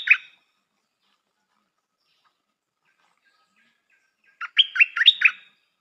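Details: A new decoy Stripe-throated bulbul gives a brief liquid note, pauses, then sings a quick run of four or five bubbly, up-and-down notes.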